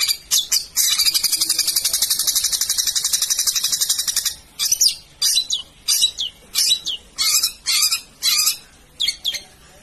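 A long-tailed shrike gives about three seconds of fast, harsh, rattling chatter. Separate scratchy, buzzy notes follow, roughly twice a second, high-pitched and grating.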